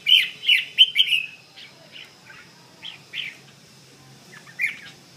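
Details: A red-whiskered bulbul gives its bell-voiced song. Four quick, ringing whistled notes open the phrase, then softer spaced chirps follow, and a final bright note comes near the end.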